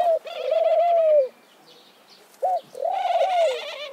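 Mourning dove cooing: two long, soft, hollow coos that swell and fade, each over a second long, with a brief note between them, in a quiet setting.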